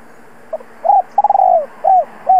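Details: Low mellow cooing of a spotted dove calling to attract wild birds: a faint opening note, a stuttered then drawn-out falling coo, and two short arched coos.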